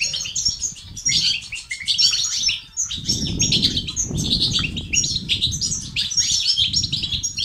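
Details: European goldfinch song used to spur males into activity and singing and to end their silence. Continuous high twitters, sharp chirps and jangling trills run in quick bursts above a steady low, rough fluttering noise.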